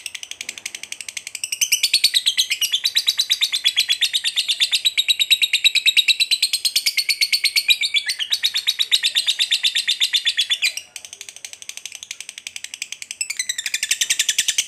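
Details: Extended ngekek trill of a fighter lovebird, used as a lure to provoke another lovebird to fight: continuous, very fast, harsh chirping with wavering pitch, carrying on for over a dozen seconds with one brief stumble.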